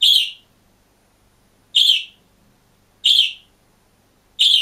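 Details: Budgerigar kept alone in a cage, chirping: four loud, piercing, harsh-edged chirps at intervals of roughly one and a half seconds, clean silence between them.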